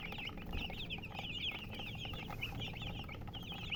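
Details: Loud, clear chick peeps: rapid, shrill, slightly slurred chirps from several baby chickens crowding one another almost without pause, with a faint low rumble behind.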